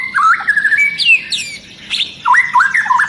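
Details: Long-tailed white-rumped shama singing agitatedly, setting other shamas off; fluid whistled notes sliding up and down, a high descending slur, then quick rising bouncy phrases.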